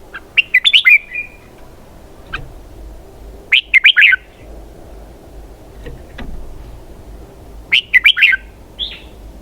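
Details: Red-whiskered bulbul giving three short, bubbly warbled phrases about three to four seconds apart, each a quick burst of rising and falling notes, with a faint low hum and quiet background in between.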